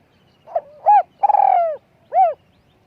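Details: Spotted dove used as a decoy, small-voiced: a short note trailing into a faint hum, a round coo, a long pulsing then smooth falling coo, and one more rounded coo to close the phrase.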